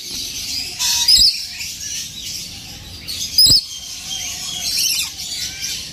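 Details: A tame, fully adult rainbow lorikeet, three years old, kept at a bird farm in Rayerbagh. Two loud, harsh screeching bursts come about two seconds apart over a steady high hiss of background chirping from other birds.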